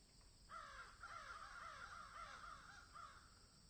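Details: Crows in a field giving a fast string of about eight hoarse, falling caws, each following the last closely, over a faint hiss.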